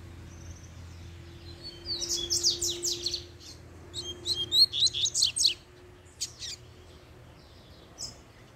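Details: Excited by a female's arrival, a caged double-collared seedeater sings two dense bursts of high, sharp, rapid notes, then pauses and gives a few scattered chips, over a steady low hum.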